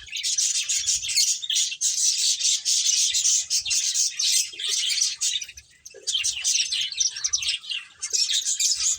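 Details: Playing finches fill the air with steady high-pitched twittering, bursts of rapid chirps running almost without a break, with a short lull near the six-second mark.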